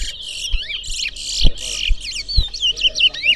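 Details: Large-billed seed finch (twa-twa) in a singing race against a rival bird at a bird ground in New Amsterdam, Berbice, Guyana: rapid bright twittering phrases with quick up-and-down slurred whistles, over low thumps and background noise.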